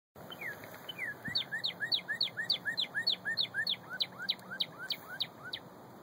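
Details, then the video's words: A northern cardinal sings in Bloomington, Indiana, late morning of March 25, 2013: a fast run of clear, slurred whistles, about three or four a second, each dropping in pitch, over a steady background hiss. "Cardinal Singing"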